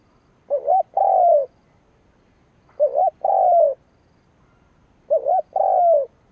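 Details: Decoy spotted dove cooing to rouse rivals, three clear phrases about two seconds apart, each a quick two-part wobble followed by a longer drawn-out coo that slides downward.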